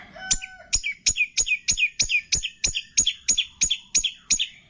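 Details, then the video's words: Long-tailed shrike tutoring song with borrowed calls of cililin, greja tarung, lovebird, tengkek and kapas tembak: after a short whistled note, a steady series of about thirteen clipped, downslurred chips, evenly spaced. "MASTERAN CENDET ISIAN CILILIN, GREJA TARUNG, LOVE BIRD, TENGKEK, KAPAS TEMBAK"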